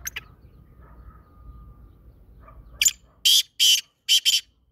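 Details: Black francolin, known locally as kala teetar, calling: after a quiet stretch with faint low hum, a rapid burst of five harsh, grating, scratchy notes comes in a quick uneven series, the last ones paired closely together.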